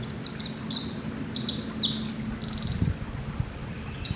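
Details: Pacific wren in Northern California pours out a long, rapid cascade of high, tinkling trills and buzzy notes, shifting pitch every fraction of a second, over a faint low rumble.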